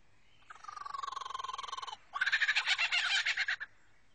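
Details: A male Superb Lyrebird in South Australian forest, singing from his cleared display ground to attract females, mimics a kookaburra: a rapid pulsed trill about three notes a second, then a loud, harsh, chuckling laugh-like burst.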